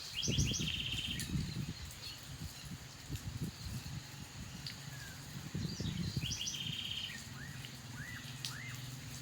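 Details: Black-capped donacobius in Tambopata: bursts of rapid, stacked, chattering high notes in two runs, then a few arched, rising-falling whistles near the end, over steady low rumbling background noise.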